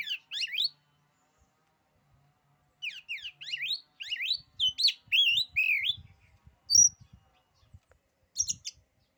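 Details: Oriental magpie-robin (kacer) with a song said to make other kacer back down: bursts of rapid buzzy trills, twisting whistled notes, and sharp high notes separated by silences, with soft low knocks.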